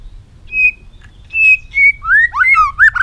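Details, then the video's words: White-rumped shama singing a long-string, many-voiced song while flicking its tail on a perch. Clear whistled notes: flat pure tones near the start, then quick rising and falling slurred whistles that speed up toward the end. "chòe lửa hót giọng dây dài.đập đuôi sàn cầu đảo giọng kích thích căng lửa chòe lửa hót nhiều giọng"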